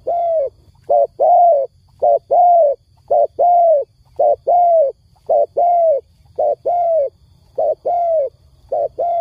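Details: Dove calling, described as crying: a steady series of low, hollow, arched coos, often in short-long pairs, about one note every half second without a break, with a faint low rumble underneath.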